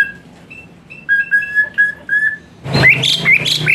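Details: Asian pied starling song played as therapy for a lazy-singing caged bird: a run of short clear whistles near one pitch, then a louder burst of harsh, varied notes with low hum beneath.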